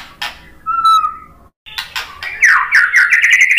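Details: White-rumped shama singing to rile up fighting males: a short high note, a long pure level whistle, a brief silence, then a rapid, rising series of rich warbled notes.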